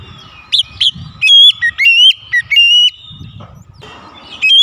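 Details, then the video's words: Oriental magpie-robin singing to provoke other birds into aggressive song: loud clear whistled phrases with sharp rising and falling notes in short bursts, separated by brief pauses, over a low background rumble. "pancingan Kacer langsung emosi"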